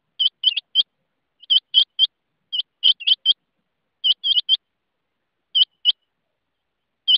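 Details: Calling rain quail giving rapid, sharp, metallic high notes in irregular pairs and triplets, spaced unevenly over several seconds, with no background noise.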